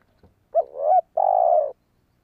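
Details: Spotted dove cooing for attracting wild birds: one call of a bending, rising-and-falling coo and then a sustained, slightly downward croon, with a faint tap just before it.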